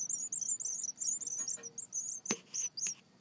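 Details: White wagtail (Motacilla alba), begging call: hungry young birds begging for food.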